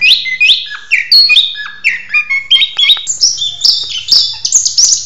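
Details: Mating-ritual song of an orange-headed thrush, loud and energetic: quick slurred whistles that step up in pitch across the phrase, each note short and crisp, repeated in a fast, tumbling sequence.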